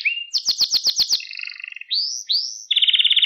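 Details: Canary singing, a recording for training young birds: a short rising whistle, seven rapid descending chirps, a soft trill, two upslurred whistles, then a loud fast trill.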